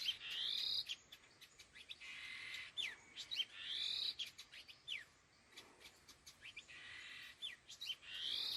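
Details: Laughingthrush (khứu lùn): harsh, buzzy chattering bursts alternating with sharp falling whistled notes and clicks, the rasping phrases returning roughly every two seconds, then quieter gaps.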